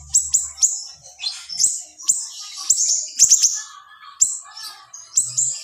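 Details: Small siri-siri giving dense, sharp bursts of song used as a tutor recording for cage birds: quick high chirps and piercing downward-flicked notes in rapid clusters, with brief lower twitters between them.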